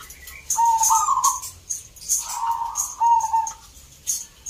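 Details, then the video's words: Competition zebra dove singing in Salatiga, Central Java, Indonesia: two-part mellow coos, the second rolling and tremulous, with a pause then another coo, accompanied by regular high clicks. "EDAN BUNYINYA ISTIMEWA 🔴 Perkutut gacor door"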